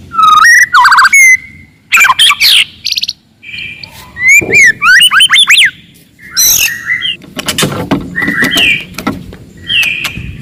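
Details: Loud, aggressive forest white-rumped shama song meant to agitate rival birds: varied rich whistles, rapid slurred flourishes and harsh chattering bursts delivered in quick succession, with brief pauses between phrases.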